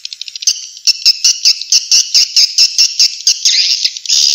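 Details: Swiftlet call from Vietnam, played to attract swiftlets to bird houses: rapid series of short, harsh chirps repeated about ninety times a minute, then a longer buzzy twittering trill near the end.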